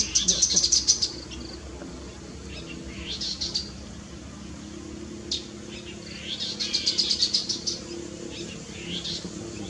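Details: Chestnut-capped babbler calling: a rapid burst of high, sharp notes at the start, then a few softer slurred notes, and a second rapid high chatter near the end over faint background hiss.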